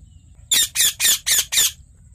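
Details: A yellow ringneck (Indian ringneck) parakeet gives five harsh, screechy squawks in quick succession, about four per second, over a faint background hum.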